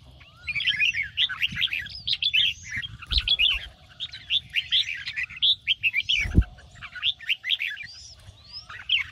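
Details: Red-whiskered bulbul morning song in the 'ché' style, used to train and excite other bulbuls to sing. Rapid bright warbled phrases and short rising whistles pour out almost continuously, overlapping densely, with a couple of low thumps.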